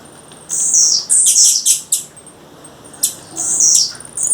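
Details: Calling female blue-black grassquit in natural surroundings: loud, very high buzzy notes that waver and fall, closely spaced with short sharp chips between them, pausing briefly, then resuming with another strong descending buzz.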